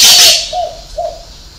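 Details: Spotted dove giving a six-note cooing song of soft, low, hollow coos about half a second apart, after a brief loud burst of hissing noise at the start.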